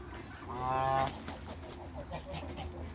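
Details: Backyard African and Toulouse geese alongside their hybrid offspring, one drawn-out, harmonic, nasal honk lasting about half a second, then quieter farmyard murmur.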